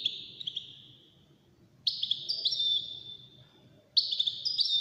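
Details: European goldfinch, among five wild-caught birds competing in song, sings sustained high whistled phrases broken by quick chirps, three bursts separated by short pauses, over a faint background murmur.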